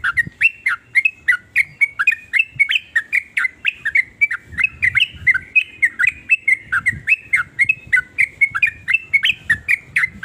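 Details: Sooty-headed bulbul in full varied song, intended to make other bulbuls join in; a long, fast chain of chirpy, liquid notes at about four per second, with faint low rumbling underneath.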